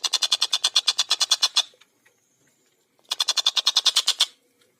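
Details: Tengkek buto (collared kingfisher) in fast, tightly spaced gacor style: two bursts of about fourteen harsh, rapid kek notes, each over a second long, separated by a pause of about a second and a half.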